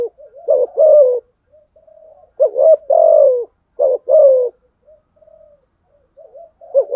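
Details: Rival-provoking fighting coos from a spotted dove: a clipped upward note, then a sustained coo drooping in pitch, repeated three times with soft faint coos in between.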